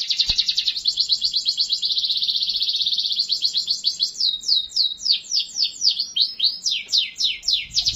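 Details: Canary song meant to prompt other canaries to sing: a fast buzzy high roll lasting several seconds, shifting into a run of rapid descending whistled notes repeated about four per second.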